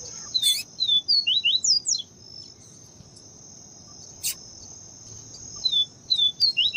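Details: Papa-capim, the yellow-bellied seedeater, in 'viviti' style with female calling to excite the male: a rapid run of slurred whistles, a pause with just a high drone and a click, then another phrase.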